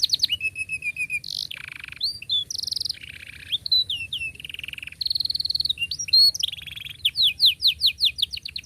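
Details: Canary in long gacor song, ngerol rapat style with cuit cuit calls, meant as a model for young birds learning: varied high phrases of whistles, buzzy rolls and rapid trills, then a burst of quick sweeping chirps.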